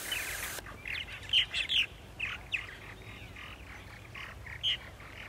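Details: Purple martins gathered at colony sites in Center Moriches, Long Island, New York, one April morning; croaking, chirping calls in short bursts roughly twice a second, after a brief hiss at the start.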